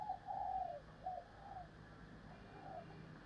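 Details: Female spotted dove cooing: a faint series of soft, low hooted notes, the first ones drawn out and the later ones shorter, heard against a steady background hiss.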